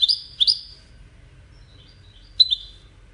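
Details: Goldfinch, whose song is said to serve courtship and communication, giving a few short, high, sharp chirps in two close pairs, then a pause, then another quick double note against a faint low hum.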